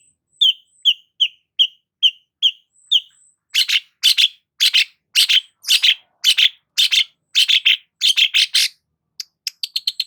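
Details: Long-tailed shrike singing briskly as a lure for stressed birds: a quick series of short clipped whistled chirps, then a long rapid run of loud harsh, rasping notes, ending with thin high ticking chips.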